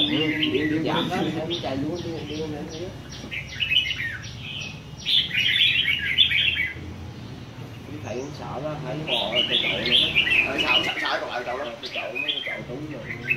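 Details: Red-whiskered bulbul from A Lưới at a singing competition: loud, chattering warbles open the clip, then rapid clipped notes and two long bursts of rich, tumbling song over steady background voices.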